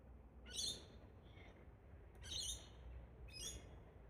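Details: Australian wild Galah pair (Rose-breasted Cockatoo) up in park trees, pair bonding. Three loud, grating, broadband screeches, the first followed by a softer note, spaced one to two seconds apart, with faint low rumble behind.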